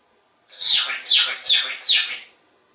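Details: Pet African grey parrot, hatched in 1997 and living in a home in Texas, during a whistling and counting session with its owner: four bright, chirpy whistled notes, each sliding down, spaced about half a second apart, in a small indoor room.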